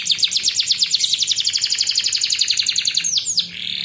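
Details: Belgian canary song used as master-training audio for young birds: a fast, even trill of bright high notes, about three per second, ending in two quick downward-sweeping whistles.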